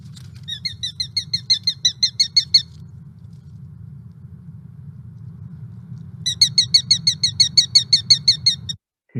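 Sharp-shinned Hawk giving two bursts of rapid, high, sharp kik-kik-kik notes, about three per second, over a steady low hum.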